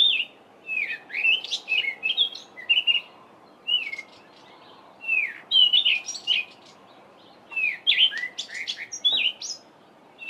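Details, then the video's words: Cape robin-chat in a garden on a July mid-winter morning, singing a varied song full of mimicry of other local birds: continuous run of short whistled slurs, downward swoops and sharp high chips, with few pauses, over faint background hiss. "Cape Robin-chat's two different songs"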